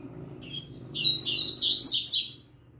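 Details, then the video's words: Yellow-bellied seedeater, a young bird singing with a green-winged saltator: soft high notes build into a loud, quick jumble of sharp twitters and buzzy slurs, then stop abruptly. "Papacapim Novato Cantando"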